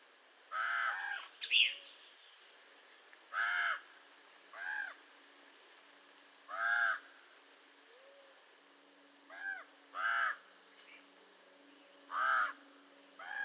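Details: Raven giving about ten hoarse caws at uneven intervals, with a short sharper, higher squeak early on and soft low notes between calls.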